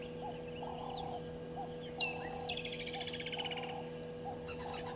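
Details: Burchell's starlings perched in a tree at Gowrie dam, Djuma Game Reserve, Sabi Sand, South Africa, mid-afternoon 15:00 on 12/11/2022; sharp whistled slurs then a grating, buzzy rattle about a second long, with soft low repeated notes underneath.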